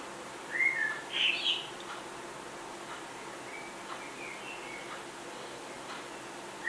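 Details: A female common blackbird in Budapest, 11 May 2020, sings two short, fluty whistled phrases in the first two seconds, then only faint, soft notes follow against a quiet background hiss.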